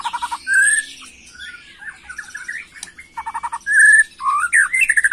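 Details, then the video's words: Young white-rumped shama in agitated macul-style song: rapid rattling bursts of notes alternate with rich upslurred whistles and fast trills, loud and varied, with high hissy notes above. "Murai Batu emosi Gaya MACUL‼️pancing emosi BuruNG Muda"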